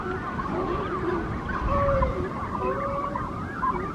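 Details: Morning at a Monterey Brandt's cormorant nesting colony with chicks: a dense mix of drawn-out honks and wavering calls from many birds, backed by a continuous deep background rumble.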